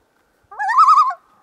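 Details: Common loon in the Boundary Waters Canoe Area (BWCA) gives a single quavering call, rising then trembling rapidly on one mid pitch for about half a second; no other sounds.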